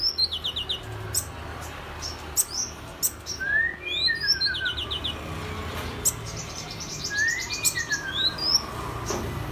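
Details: Song of a Mrs Gould's sunbird mimicking an oriental magpie-robin: high trilled runs of quick repeated notes alternating with clear rising and falling whistled slurs, phrases spaced a few seconds apart, light background hum.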